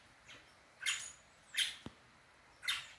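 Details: A great kiskadee in a food court gives three harsh, raspy bursts about a second apart, with faint clatter and the background murmur of a busy public space.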